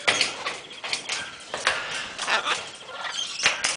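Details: A captive military macaw at a Danish bird park gives harsh, raucous squawks, about six broad grating bursts in under four seconds, with quieter rasping between them.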